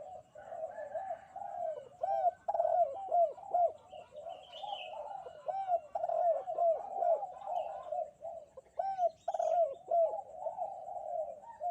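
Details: Spotted dove cooing vigorously on a bright morning: a continuous run of mid-pitched, hooked coo notes with rapid overlapping phrases, plus thin high chirps from other small birds.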